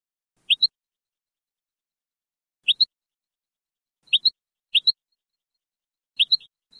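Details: European goldfinch singing in the Moroccan Sebtaoui style, from an old cleaned cassette recording: sharp doubled chirps, each pair a quick high tweet-tweet, spaced irregularly about one to two seconds apart over silence.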